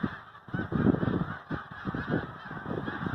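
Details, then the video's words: A migrating flock of snow geese honking in a thick, continuous chorus of short nasal yelps, with the loudest burst near the first second. "Snow Geese Migration"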